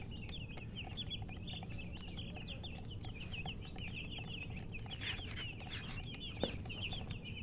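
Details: Murgi hen and color chickens chirp in quick overlapping high notes, each a short rising or falling flick, packed densely throughout. A brief knock sounds near the end, and low rumbling noise continues.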